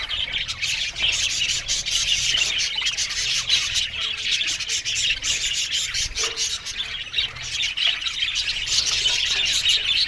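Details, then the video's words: Busy high-pitched twittering from a budgerigar colony in an aviary, steady and unbroken, with occasional sharper chirps standing out from the mass of calls. "Lonely Budgies Sounds"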